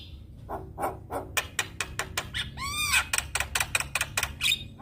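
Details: Black-winged starling singing a rapid series of harsh broadband chacks with one rising-falling harmonic squeal in the middle, over a low steady hum.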